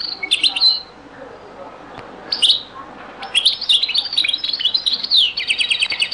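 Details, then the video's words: European goldfinch from an old Beni Messous 'les avocats' (zaboka) song recording: buzzy twittered notes and a few short phrases, then continuous liquid twittering closing in fast repeated trill notes. "تسجيلة جد قديمة بني مسوس ليزافوكا | chant beni Messous les avocats zaboka"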